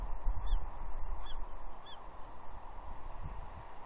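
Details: Young female bald eagle at Two Harbors on Catalina, 30 June 2021, begging her father for fish while perched beside him: three high, downslurred squealing notes in quick succession over a constant background roar.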